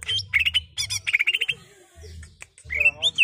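A greater green leafbird sings a fast, chattering run of bright, varied notes in bursts, ending with a rising, slurred whistle.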